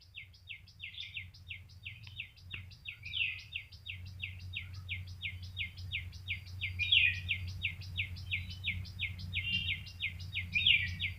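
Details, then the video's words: A bird chirping steadily: a fast, regular series of sharp, high, downslurred chips, about four per second, with a few louder notes, over a constant low hum. "Bird chirping"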